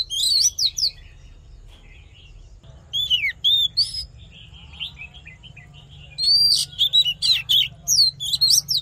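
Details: Fighting song of an Oriental magpie-robin used in voice training, given as rapid clusters of bright whistled and down-slurred notes in three bursts with short pauses, over a faint constant low hum.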